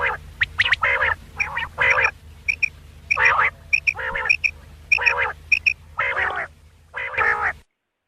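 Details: At night, quail give nasal, buzzy bursts interleaved with crisp paired high pips, a steady alternation over several seconds, from a recording made for quail hunting.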